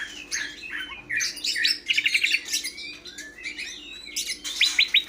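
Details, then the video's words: Busy, varied greater green leafbird singing: chirps, slurred whistles and short stuttering series of quick repeated notes, backed by a faint low hum. "Burung Cucak Hijau"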